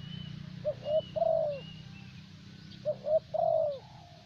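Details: Vietnamese thổ bầu spotted dove kept for luring other doves, repeating its cooing phrase twice: two short hollow hoots rising in strength, then a long, full, gently falling coo, with a faint hum underneath.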